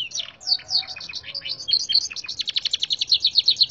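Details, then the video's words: Tutored local Gloster canary in a singing contest: a few sharp downslurred chirps lead into a fast, steady trill of bright repeated notes that grows louder and more regular toward the end. "Kenari Isian Red Siskin Seri Gloster"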